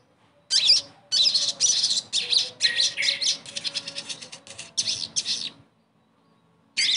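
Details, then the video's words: Sogon bird song offered as therapy to make a silent bird sing; long stretch of rapid, rasping high chatter and trills, a pause, then one more burst. "TERAPI SOGON MACET langsung GACOR DENGAR PANCINGAN INI"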